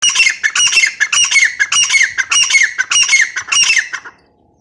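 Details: Female grey francolin calls loudly in harsh, grating, squawking phrases, rhythmically repeated about twice a second for four seconds, then stops; no other sounds.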